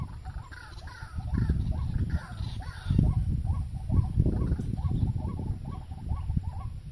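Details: White-breasted waterhen at a trapping spot, called ruak-ruak or kreo padi: rapid repeated hooked notes under loud booming low noise, with a few higher, rising calls early on.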